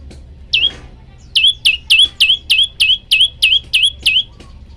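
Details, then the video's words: Male olive-backed tailorbird in full voice calling for a female: one opening chirp, then ten evenly spaced piercing high notes, each a quick downward slur ending in a short flat tail. "burung prenjak lumut jantan gacor manggil betina"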